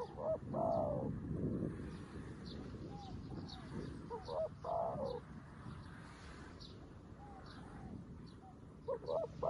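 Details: A new decoy spotted dove calls to wild doves like a seasoned decoy, giving two phrases of short low coos that end in a longer, rolling cooing note, over steady background noise and faint high chirps from small birds.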